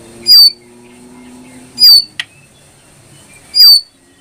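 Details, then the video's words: ['Brown prinia producing three loud, shrill whistled notes about 1.6 seconds apart. Each note ends in a quick descending slur, with a single click between the second and third.'] "masteran burung jongkangan coklat"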